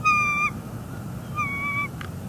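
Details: Bald eagle pair at a northeast Florida nest in early morning on 24 December 2020, working on nest restoration; two drawn-out tonal squealing notes, the second slightly falling, over a low steady background rumble.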